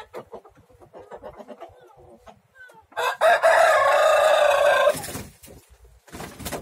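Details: Three roosters fighting each other: soft clucks and clicks, then a long loud harsh crow held for about two seconds, followed by scuffling noises.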